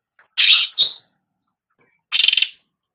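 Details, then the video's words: Cucak rante, recorded for training pet songbirds: a grating buzzy note with a short higher follow-up, then after a silence a stuttering, pulsed rasp. "Suara Burung Cucak Rante"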